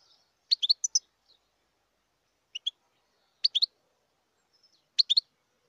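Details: Wild European goldfinch giving short bursts of two to four high, sharp chirped notes, separated by pauses of one to two seconds, in an otherwise quiet background.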